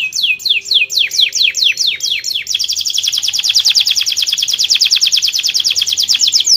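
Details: Canary song meant to get other birds singing: opens with spaced, sharply down-slurred whistles, then switches to a long rapid, steady trill of high bright notes; a faint low hum in the background.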